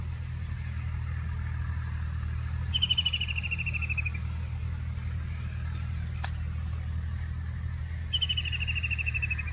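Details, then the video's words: A White-throated Kingfisher gives two bursts of its rapid, shrill whinnying trill, each sliding slightly downward, over a steady low rumble of traffic. "Sound of White-Throated Kingfisher"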